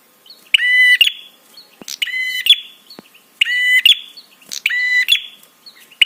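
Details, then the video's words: Prinia calling to provoke responses and arousal in other birds: rattling, nasal buzz notes about half a second each, five in a row, with faint high ticks and clicks in the gaps. "SUARA TRAPI PRENJAK SEKETIKA BIKIN EMOSI DAN BIRAHI"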